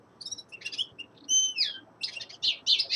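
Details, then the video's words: Winter song of a young male linnet, a quick run of chirps followed by a clear descending whistle, then rapid buzzy twitters at high pitch. "Песенка Реполова Коноплянки song of Carduelis cannabina"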